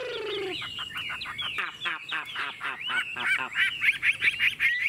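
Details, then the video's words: A caged Chinese hwamei with a fast, even voice sings dense twisting whistles mixed with rapid clicking notes, opening over a brief lower tone and ending in loud repeated ringing phrases. "Chất giọng rừng ko lẫn vào đâu đc"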